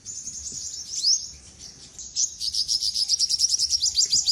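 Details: Singing olive-backed sunbird (sogok ontong): high, thin trill that starts scratchy and irregular, then settles into a fast, even string of sharp, downslurred chips, roughly three per second.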